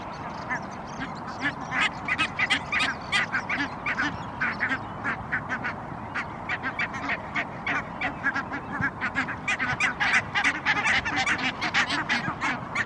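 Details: Flock of barnacle geese vocalizing while grazing in a Helsinki park, Finland, spring evening, April 2022: dense, continuous chorus of short, sharp yelping barks from many birds, above a constant low hum.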